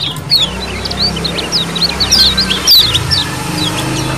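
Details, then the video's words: Lemon-bellied white-eye group calling as a lure: scattered high chirps and short slurred notes over a steady low hum and background rumble. "CIAKAN KECIAL KUNING KOLONI ALA ALAM BEBAS"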